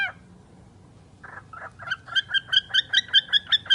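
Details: A talking bird starts with a faint syllable, then gives a rapid, fairly regular series of about a dozen short, bright notes, growing louder toward the end.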